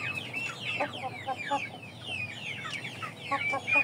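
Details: Chicks calling because they are hungry before feeding, loud high downslurred peeps in quick bursts, with some clattering clicks among them.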